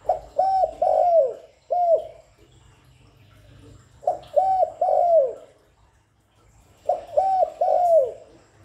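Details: Spotted dove lure call, continuous and clean: three phrases of low hooted coos, roughly every two and a half seconds, each a few quick notes ending in a longer downward-curving coo, with faint background hum.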